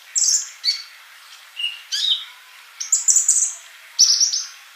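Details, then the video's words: Sunbird song for training caged birds: high chirps and short whistled slurs at varied pitches, ending in a bright, fast, trilled phrase. "MASTERAN UNTUK BURUNG COLIBRI GACOR"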